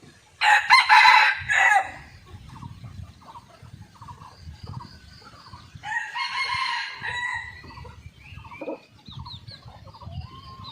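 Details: On a morning after a storm, a hidden camera catches red junglefowl crowing twice: a sudden loud, harsh crow early, then a second longer, fainter crow, with soft clucks and a steady pulsing chirp in between.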